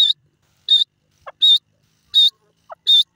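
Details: Francolin, called irani teetar, calling in the evening: clear, high whistled notes in short bursts, repeated roughly every 0.7 seconds, with a brief lower squeak between some of them.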